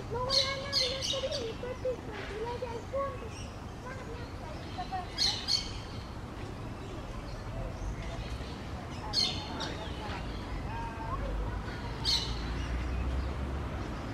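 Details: Green parakeets, with an outcast calling to a flock. Loud, rasping, high screeches come in clusters every three to four seconds. A man's voice talks underneath throughout, over a low background rumble.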